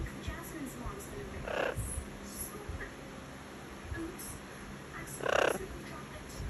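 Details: Amazon parrot at morning breakfast, uttering two harsh, raspy squawks several seconds apart, the second louder, against a quiet indoor background with faint clicks and a thin high whine.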